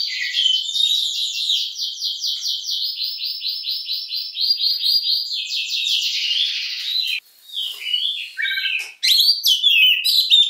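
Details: Oriental magpie-robin in the long 'nembak panjang' shooting song style: a sustained run of rapid, evenly repeated whistled notes lasting about seven seconds, followed by scattered sharp chips and varied whistled phrases.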